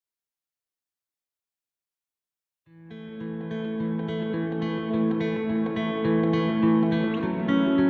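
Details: Silence gives way to strummed acoustic guitar music that grows louder, with no animal sound heard.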